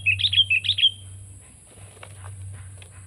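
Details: Sooty-headed bulbul singing a short, loud run of six gurgling whistled notes within the first second, followed by faint clicks and low hum.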